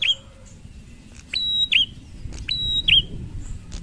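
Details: Prinia song in the ngalun style, meant to set other prinias calling. Brief high whistles, each starting steady and then dipping, come in repeated pairs. A soft low background rumble is present.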